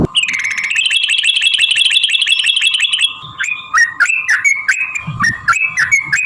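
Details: Sooty-headed bulbul in fighting 'ropel' singing used as a lure: a three-second rapid chattering trill, followed by separate clear whistled notes with sharp downward flicks, over a steady whine.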